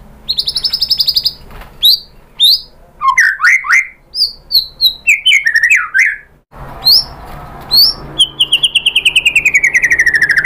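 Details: White-rumped shama singing to provoke rival birds into response. A buzzy high trill leads into tumbling whistled phrases and squeaky notes, then a long descending series of rapid repeated notes at the end.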